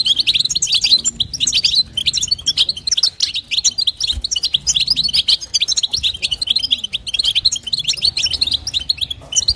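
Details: Female European goldfinch giving its 'batbata' and 'sitsita' call to stimulate a male: a long, nearly unbroken stream of high, sparkling twitters and buzzy trills, steady in pace.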